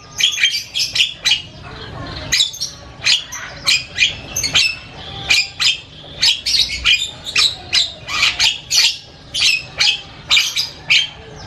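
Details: ['A Javan myna delivers loud chatter with varied sounds, a steady stream of rasping, squawky notes and sharp whistled accents packed closely together with few gaps.']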